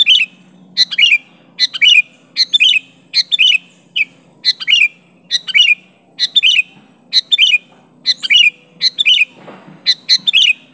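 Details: Sooty-headed bulbul calling out a rival, repeating lively chirped phrases that end in bubbly falling warbles, roughly one to two per second across a long steady run, with a brief low rumble near the end.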